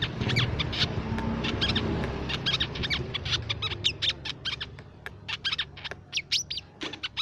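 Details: Crimson sunbird lure song: a long, rambling series of sharp, high chirps, about seventy a minute, irregularly spaced, growing more distinct toward the end over low background noise.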